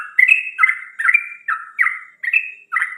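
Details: Whistling bird in the morning: ringing notes that step from high to lower pitch, delivered in quick pairs roughly every half second.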